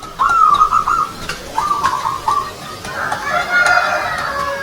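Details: Played example of a zebra dove (perkutut) anggungan song for contest singing, with few beats set close together for higher points: two rolling, trilled tonal phrases, then a rougher, broader burst of sound.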